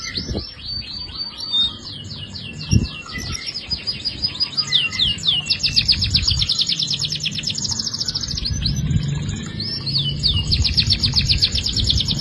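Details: Canary in full song: continuous high, rapid rolling trills and chattering runs that shift speed and pitch throughout, with a few low knocks and a soft background rumble.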